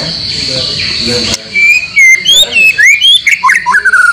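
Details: White-rumped shama song for training caged birds to sing freely: rapid, varied whistled notes sliding up and down, interspersed with quick chips and trills, after a faint murmur of background noise.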